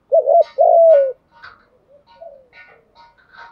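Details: Spotted dove for stimulating newly caught doves: one quick doubled coo and a long, slowly falling coo at the start, then only faint scattered chirps and a soft low note.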